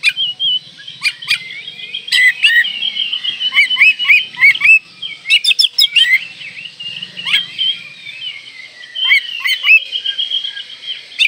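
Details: Oriental magpie-robin singing in breeding condition, meant to provoke rivals: a rich, varied stream of whistled phrases and mimicked notes, with sharp chips and rapid twitters in an energetic, continuous flow.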